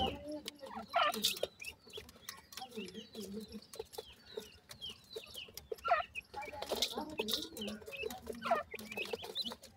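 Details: Grey francolin (teetar) chicks with short, thin chirps and downward-slurred peeps scattered through the clip. Frequent sharp clicks and patters from movement or pecking run underneath, along with a low soft murmur.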